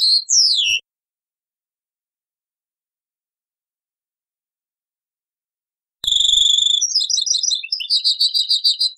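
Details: European goldfinch, taqsraine song style, old cassette recording: a short falling whistled phrase, about five seconds of silence, then renewed high twittering with clipped, rapidly repeated notes.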